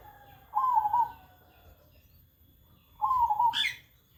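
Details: A zebra dove that coos all day and is unafraid of people utters two rolling, slightly trilled coos about two and a half seconds apart, the second followed by a short high chirp from another bird.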